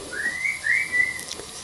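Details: A tame rescue parrot at a rescue centre in Harberton, South Devon, whistling from the kitchen: two clear, gently rising whistles, each about half a second long, with a faint click near the end in a quiet room.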